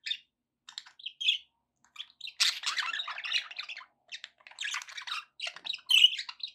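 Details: Pet budgerigars, several kept together, chattering in bursts of squawky, buzzy chirps and short whistled notes, with brief pauses between bursts and louder dense warbling near the middle and at the end.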